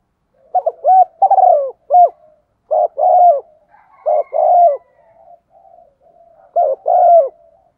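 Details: Female spotted dove cooing, played back in wind and rain to make reluctant decoy and wild males call; low, mellow coos in three short phrases, with softer fragments between them and a quiet background.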